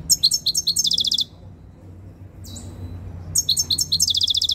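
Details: Tame European goldfinch coming into breeding condition, filmed at very close range, singing two bursts of rapid, high, buzzy twittering notes separated by a short pause, with one faint slurred note between them.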